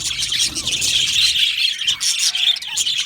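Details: Happy budgies in a colony aviary, a constant bright twittering chorus of overlapping chirps and chatter, a soft low hum underneath early on.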